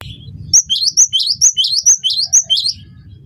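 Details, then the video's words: Cinereous tit, locally gelatik batu, in full voice for teaching birds to sing: after a short low tone, seven clear two-note whistles, each bright high note falling to a lower one, evenly spaced about every third of a second. "masteran burung gelatik batu gacor pancing bunyi"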